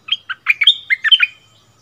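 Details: Decoy bulbul dueling with a new resident bird on its old territory, February 2021; one short, loud phrase of about seven bubbly, liquid whistled notes, ending in a thin sustained tone.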